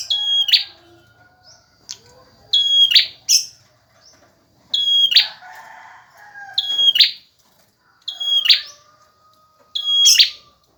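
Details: Tutor recording of a persistent male bar-winged prinia: loud whistled phrases, each a flat high note then a buzzy rising burst, repeated roughly every two to three seconds, with a faint lower call in between.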